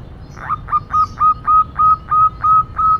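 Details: Local female zebra dove in noisy cooing: nine loud, clear, evenly spaced notes, each a quick upward flick followed by a held tone, repeated about every quarter second over a quiet background.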